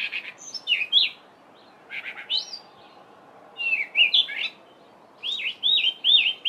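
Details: A Cape robin-chat sings during the dawn chorus in a garden in midwinter (July), giving three short phrases of sweet, varied whistles and slurred, warbling notes with pauses of about a second between them, over a faint background hiss.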